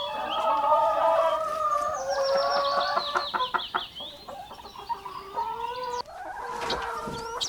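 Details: Rooster crowing while chickens and rabbits forage for food in the grass: a long sustained harmonic crow of nearly three seconds, then a shorter second crow, over busy clucking and high chick-like peeps.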